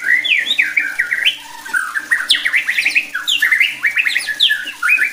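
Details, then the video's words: A white-rumped shama delivering a rich medley of looping whistles and sharp chips, a lure song intended to make rival shamas sing harder and more aggressively. "bikin MURAI BATU LAIN JADI GACOR EMOSI,,MUNTAH ISIAN"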